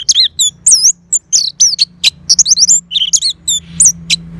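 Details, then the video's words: Orange-headed thrush singing continuously, a lively string of loud, high, twisting whistles and chirps delivered in quick irregular bursts over a faint steady low hum. "Terap1 Suara ANIS MERAH Macet Bunyi Agar Mau Kenceng Dengar Kicauan Ini."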